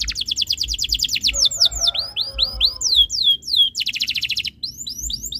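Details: Canary tutor song to spur other canaries into song: quick repeated high notes, a run of descending swooping whistles over a faint lower warble, then another rapid trill.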